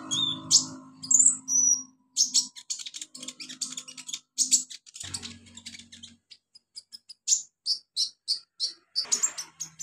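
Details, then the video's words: Wild olive-backed sunbird in natural habitat giving high, sharp chirps and short buzzy notes in quick uneven series, with faint low humming sounds in the background early on. "KICAU KONIN ALAM LIAR HABITAT ASLINYA"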